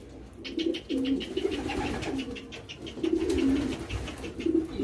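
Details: Young homing pigeons being hand-fed indoors while trained to a whistle: soft, low murmuring coos come in short repeated bursts, mixed with quick rapid tapping and pecking clicks throughout.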